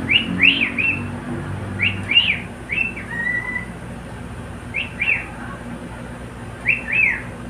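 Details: Pet cockatiel singing quick chirpy whistles in clusters of two or three, one longer flat note, then spaced phrases after short silences.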